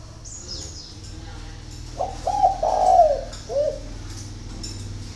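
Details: Early-morning spotted dove song from Ba Vì, Hanoi, Vietnam: after quiet, a mellow phrase of clipped coos swelling into a long slurred note, then one softer coo. Thin high twittering and low hum in the background.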